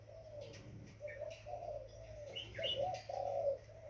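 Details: Young spotted dove giving soft, hoarse, mid-pitched coos in uneven phrases, the notes swelling and breaking, with a few faint higher chirps in the background.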